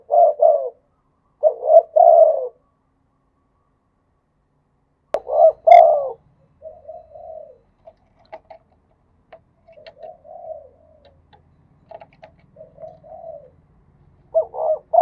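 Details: Spotted dove in Thailand cooing in khat and nun styles. Strong three-part phrases open and close the passage, and fainter scattered coos and soft clicks fill the middle, with a faint low hum underneath.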